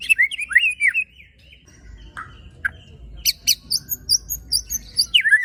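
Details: White-rumped shama giving rough 'tembakan' phrases that provoke other shamas: looping slurred whistles, a couple of sharp clicks, then a long series of quick, high, chipping notes ending in a downward slur.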